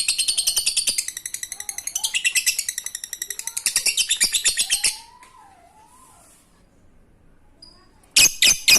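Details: Ngekek chatter from a lovebird, meant to get silent lovebirds singing: five seconds of fast, gritty, high repeated notes, a quiet gap, then a few loud closing notes.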